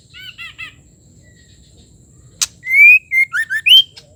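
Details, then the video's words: White-rumped shama female calling to stimulate the male: a soft trio of harsh, chattering, harmonic notes, a loud click, then a strong rising whistle and rapid slurred notes. "Murai batu betina ampuh sebagai pembangkit emosi murai jantan agar gacor bongkar isian"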